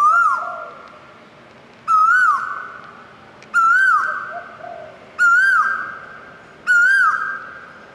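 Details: Five loud whistled notes from an Asian koel, evenly spaced about every one and a half seconds, each rising and falling briefly and trailing into a long echo, with faint lower notes early on.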